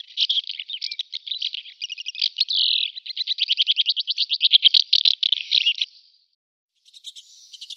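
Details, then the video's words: A barn swallow twitters rapidly, building into a long rhythmic rattle of clicking notes, then falls silent before a few thin squeaky notes. "Ev Kırlangıcı"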